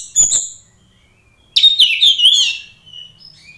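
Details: Singing oriental magpie-robin, played to provoke rivals into fighting: a harsh high chip, a quiet gap, then a dense tumbling phrase of sliding whistles fading into softer thin notes.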